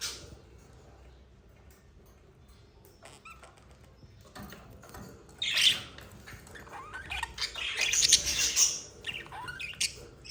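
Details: Budgerigar pair in love, quiet at first with faint ticks, then swelling into scratchy warbles and sharp high chirps in the second half.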